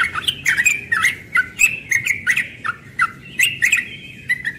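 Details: Young yellow-vented bulbul in morning ropel song: bright, liquid warbled notes running on quickly in chattering bursts, with occasional sharp clicks.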